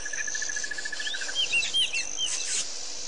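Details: At Pete's Pond, Botswana, on 10/9/07, white-fronted bee-eaters give a burst of clear, curved, squeaky chirps in the second half. A pulsing insect trill stops after about one second, and a high insect hiss continues.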